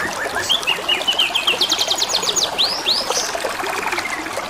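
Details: Canary singing beside gently trickling water, delivering a rattling chain of short notes that speeds into a dense high trill, then two looping swept whistles and a soft buzzy roll at the end.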